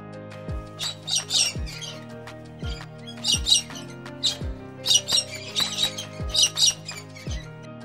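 A cockatoo gives harsh, raspy squawks in short bursts, roughly one or two every second, over steady background music with a soft beat.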